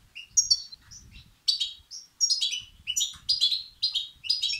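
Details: European goldfinch chicks begging, used to excite males: scattered high chirps at first, then loud repeated bursts of shrill, descending twitters in close succession, over a faint low rumble.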